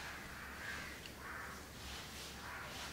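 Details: A pair of house crows grooming each other at Candolim, Goa, in December 2010; faint harsh, raspy caw-like bursts come roughly every half second to second over steady background hiss, with a thin whistled note from another bird.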